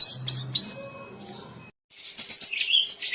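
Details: Oriental magpie-robin song used as a lure and training master: a few sharp high chirps, a quiet gap with low background tones, then a fast run of scratchy, jumbled high notes.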